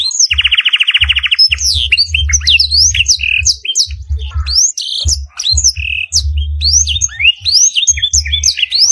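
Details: Canary tutor recording with black-throated canary fill, used to train caged songbirds: it opens with a rapid rattling trill, then dense upslurred whistles and sharp chirps over intermittent low thudding.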